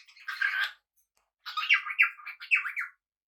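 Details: Pet cockatiel kept indoors with budgies: a broad harsh screech, then after a pause a run of five or six rising, slightly buzzy whistled calls in quick succession, with no other sounds.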